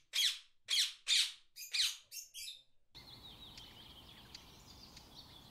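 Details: Blue-and-yellow Macaw squawking: five loud, rough, grating bursts roughly half a second apart, fading into a weaker sixth, then the call stops, leaving only faint background chirps and hiss.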